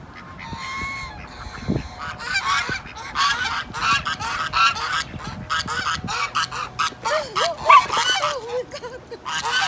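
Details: Four geese with necks stretched out, screaming as they run toward a person in hope of food; loud harsh honks and rasping screeches come in rapid overlapping bursts, rising in intensity, with a few softer calls at the start.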